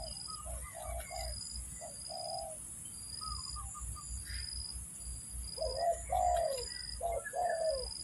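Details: Spotted dove calling as a lure for bird trapping: low hollow coos in short-then-long paired phrases, the longer note sliding down, repeated several times, with scattered higher chirps of other birds and a steady high-pitched droning hum throughout.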